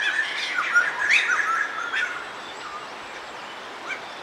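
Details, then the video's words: White-throated laughingthrushes in a noisy group at Rishikesh: a burst of harsh, squawky chattering notes packed together over the first two seconds, then fading to a few scattered squeaks against a steady background hiss. "White throated laughing thrush"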